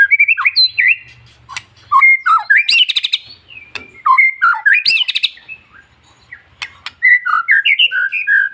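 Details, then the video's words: Long-tailed white-rumped shama song, played to stir other shamas into singing: loud varied whistled phrases, rising and falling slurs, and sharp buzzy bursts, delivered in bouts separated by short pauses. "MENINGKATKAN EMOSI BURUNG MURAI Dengan Suara murai batu ekor panjang"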